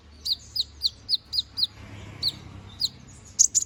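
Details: Canary singing 'gacor ngobra', used as master song for magpie robins: evenly spaced downslurred whistled notes, about four per second, then a brief pause, two more similar notes and a final pair of sharper chirps.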